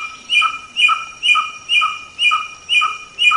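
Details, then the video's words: White-rumped shama repeating one two-tone whistled phrase about seven times in quick, even succession, a bright ringing note with a lower echo each time, used as a training song for cage birds. "Masteran Suara Samyong"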